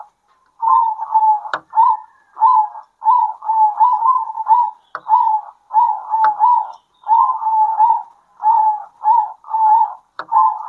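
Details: Local zebra doves singing back and forth at midday. A steady run of short, rolling, trilled coos comes in quick succession, with a few faint clicks between phrases.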